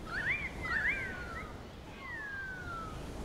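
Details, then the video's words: Adolescent Wedge-tailed Eagle at sunset in Plenty Gorge, Melbourne, Australia, on a hot day with a light breeze: thin whistled calls, two quick rising-then-falling slurs followed by a long, clean descending whistle, over soft wind hiss. "Young Wedge-tailed Eagle"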